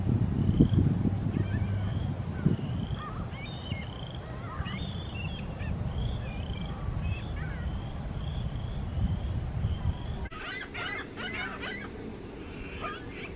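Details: Seagulls fighting: a run of thin, nasal, slightly rising calls repeated rapidly and overlapping, with a burst of harsher squealing cries near the end, over a steady low rumble of wind or surf.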